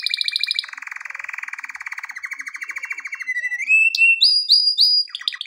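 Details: A male canary sings a training song. A long, low, fast rattling roll slides upward into clear whistled notes, followed by repeated sharp high chips and a short trill.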